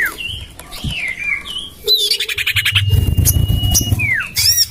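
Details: Common iora lure for attracting birds, tried in a backyard garden: wavering whistled phrases, then a fast buzzy trill, a long steady high whistle and a falling slur, over a low rumbling background.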